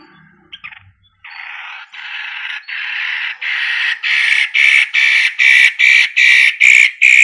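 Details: Long-tailed shrike in full song as a lure to make other birds reply; a few soft sounds, then a rasping series of harsh notes, about two to three per second, swelling steadily louder toward the end.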